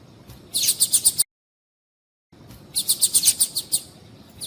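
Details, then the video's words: Rapid trills of high chirps, about seven notes each, from a female Double-collared Seedeater whose call is said to stimulate males to sing; two bursts separated by a second of complete silence. "Piado de Fêmea de Coleiro para Esquentar Coleiro"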